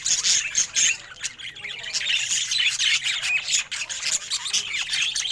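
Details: A budgerigar kept as a pet and said to look happy, chattering in a busy, scratchy warble with sharp squawky notes and quick chirps running almost without pause.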